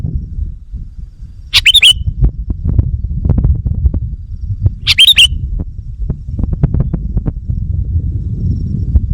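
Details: Wild-bird luring call of a sooty-headed bulbul: two brisk, bright chirp bursts about three seconds apart, over steady low rumble and scattered clicking and rustling noises.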